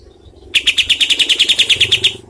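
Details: Rapid, harsh cotton pygmy goose call meant for training contest birds: a tight series of about fifteen sharp, clipped notes in under two seconds, evenly repeated, with low background noise.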